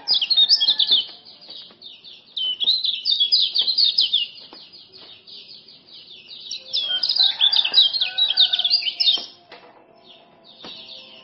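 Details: Male common iora song from Lombok, played to tutor and lure silent birds: rapid chattering, scratchy high notes in two dense bursts of about two seconds each, with quieter chirps between and faint lower tones beneath.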